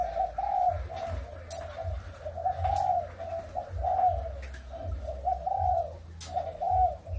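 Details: Spotted doves kept for breeding, Malaysian and Thai strains, recorded 23 August 2021, deliver a string of soft, throaty coos with brief gaps, swelling and fading, plus occasional sharp clicks and a low drone.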